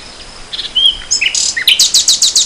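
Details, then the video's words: Nightingale singing in spring 2014: a few soft scattered notes and a thin whistle, then a loud burst of high bright notes that becomes a rapid run of about eight sharp repeated pulses. "Le chant du rossignol"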